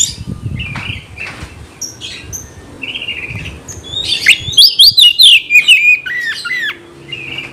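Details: Oriental magpie-robin singing to incite fighting: quiet scattered notes first, then a loud run of sharp, repeated zigzag whistles about three per second, ending in softer warbles.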